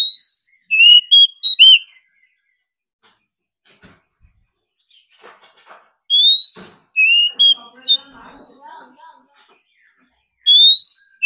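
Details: Oriental magpie-robin singing in a competition to provoke rivals: loud rising whistled phrases and short sliding notes come in bursts, broken by several seconds of near silence and faint soft chips.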